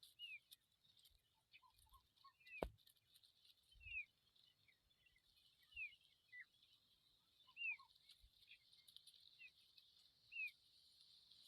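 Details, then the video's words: Familiar chat chicks outside the nest: short, thin, downslurred whistled notes repeated every one to two seconds, with a few lower soft chips, a sharp tap near three seconds, and a steady high hiss behind. "Familiar chat bird babies outside the nest"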